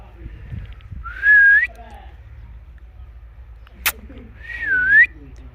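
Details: Indian ringneck parrot kept at home, in natural talking and chirping voice: two loud whistled phrases, the first rising steadily, the second dipping then rising, separated by a sharp click.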